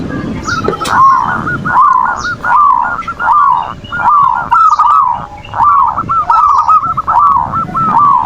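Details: Zebra dove (perkutut) manggung, played as bait to rouse a rival's emotion and breeding urge; a steady series of rolling, warbled coo phrases repeated roughly every second and a half, with faint high chirps of other birds behind.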